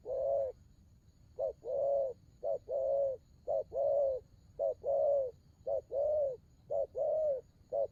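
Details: Spotted dove giving a steady series of low, mellow coos, each phrase a short note then a longer rolling coo, repeated about once a second with clean pauses between.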